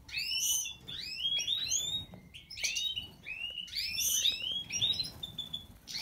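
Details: European goldfinch of the Major form with white throat: dense, continuous twittering of quick sliding and chirping notes, liquid trills and buzzy phrases, with a low background hum.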